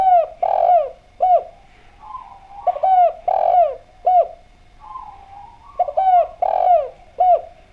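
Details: Spotted dove of the Javanese type in full, clear-voiced song, played as a lure to get other doves calling; three rounded coo phrases, each with short clipped notes around a longer swelling coo, over a low constant hum.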